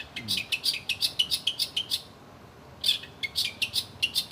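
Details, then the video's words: Cendet, the long-tailed shrike, in masteran song: sharp, high, scratchy chirps fired in rapid bursts with a short pause midway, each note clipped and harsh, quiet background. "burung CENDET masteran paling joss"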